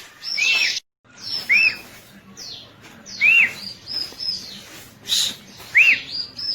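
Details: Bar-winged prinia giving spaced phrases, each a clear arched whistle followed by thin high notes, repeated roughly every one and a half seconds with quiet gaps between.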